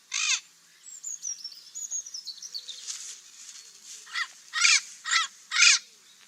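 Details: Parrot giving harsh, raspy screeches, one at the start and then three loud ones close together toward the end, with a thin descending whistle and softer chatter in between.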